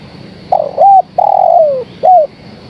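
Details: Female spotted dove calling the male: one full cooing phrase of a stuttered opening coo, a clear arched coo, a long slurred coo sliding downward, then a short arched coo closing it. Faint steady hum behind.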